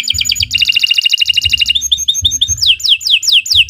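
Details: Canary master song for young birds: a rapid buzzy roll of repeated notes, a quick chattering passage, then spaced falling whistled slurs, accompanied by low dull thumps.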